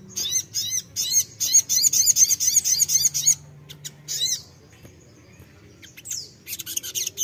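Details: Crimson sunbird song intended to make untrained birds reply: a rhythmic series of about a dozen very high, sharp, arched notes, then a pause, a thin downslurred whistle and renewed chips.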